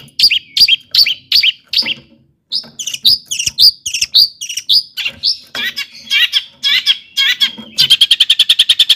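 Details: Energetic long-tailed shrike song used to provoke rival shrikes into singing: sharp chipping notes and varied slurred whistles in an uneven sequence, closing with a rapid, steady trill of high notes.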